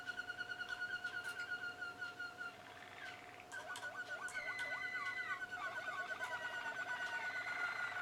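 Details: Young Malinois Waterslager canaries from 2016 singing softly: a level whistled trill, then a series of quick looping, gurgling water-like notes, followed by rolling trills at two pitches. A few distant sharp clicks and a low hum are also heard.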